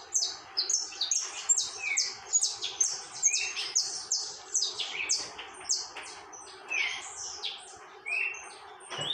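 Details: Saffron finch singing nonstop in the tormento song style: a rapid, continuous stream of high, sharp descending chips, some lower slurred notes mixed in, with a steady low hum underneath.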